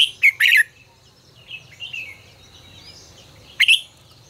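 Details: Red-whiskered bulbul song in the 'ché căng lửa' style, recorded as a training voice for bulbuls: a bright, sharp two-part whistled phrase, a long pause with faint warbling, then another short, loud pair of notes.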